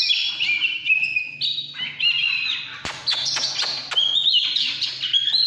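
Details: Oriental magpie-robin singing căn lửa: sustained clear whistled notes that step up and down, followed by quicker rising phrases punctuated by sharp clicks.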